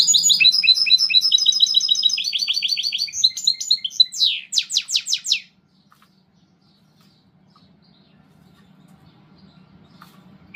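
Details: Song of a goldfinch hybrid, a 'mixto': rapid, high, metallic twittered phrases for about five seconds, ending in a few louder buzzy sweeping notes, then near silence with faint low hum.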